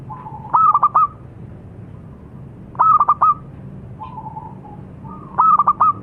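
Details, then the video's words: Local zebra dove delivering three song phrases. Short hard notes tumble together, then a brief level coo follows, about every two and a half seconds. A faint murmur fills the gaps. "Suara Burung - Perkutut Lokal"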